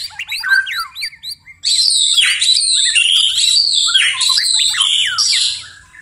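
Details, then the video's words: White-rumped shama singing at night: a few sharp rising chips, then a loud, continuous flow of high sweeping whistles and rapid warbles. "murai batu tetap gacor di malam hari"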